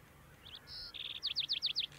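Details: Lark sparrow male in song at Antelope Island, Utah, 6-08-2022, female carrying food: a few high notes, a steady buzzy trill, a low burry phrase, then five loud rapid downslurred chips.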